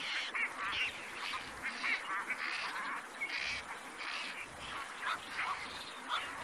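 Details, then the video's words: Dense run of grating, hoarse squawks from black-crowned night herons in the wild, bursts tumbling close together over a background hiss. "Suara Burung Kowak Malam Abu Di Alam (Nycticorax nycticorax)"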